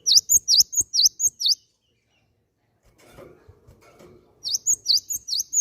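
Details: Great tit (gelatik batu) calling as a lure to set other birds singing: a run of seven piercing, high, swooping chirps, a pause with faint low murmuring, then another rapid burst of six similar notes.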